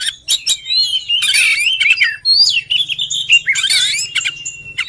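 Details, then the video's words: Oriental magpie-robin singing a varied run of clear whistles, slurred notes and harsh raspy bursts, with a low steady hum underneath. "Birt song Magpie Robin"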